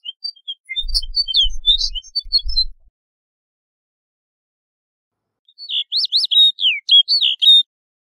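A snow bunting gives a quick burst of sweet, high twittering notes, then after a pause a clear warbled phrase of rising and falling whistles; low thumps early on.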